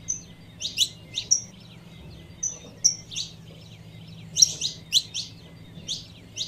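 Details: Calling female Saffron finch trying to rouse the male: high, sharp chirps and brief whistled notes in irregular bursts, about a dozen in all, with a quiet pause midway and a low steady hum beneath.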